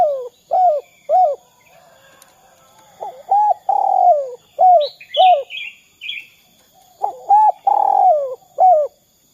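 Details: Spotted dove (derkuku) call used as a lure to set other doves calling: clipped 'kuk' notes and rolling coos in clear bursts, repeated in groups, with a few higher chirps from another bird midway.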